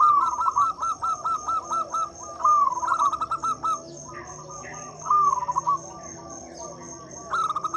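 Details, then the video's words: Local zebra dove singing loudly as a lure to coax silent or reluctant doves into song: strings of short looping coos repeated rapidly, broken by faster trilled phrases, over low steady background hum. "Suara PIKAT dan PANCINGAN perkutut lokal gacor untuk atasi perkutut bisu dan susah bunyi."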